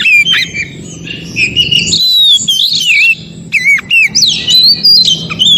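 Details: Oriental magpie-robin singing in its natural forest habitat, recording meant to encourage stalled magpie-robins to sing: sweet looping whistles, a sustained high note, then quick swooping phrases and chirps over faint rumble.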